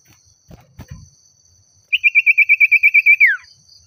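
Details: Oriental magpie-robin, provoked as if by a rival, giving a rapid, evenly spaced trill of about twelve identical notes that ends in a long downward slur, after some soft low knocks at the start.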